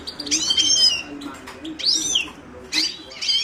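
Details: Carduelis caniceps, the Himalayan goldfinch, sings liquid, ringing phrases: a long sliding whistled note after quick chirps, then more sweeping twitters after a short pause.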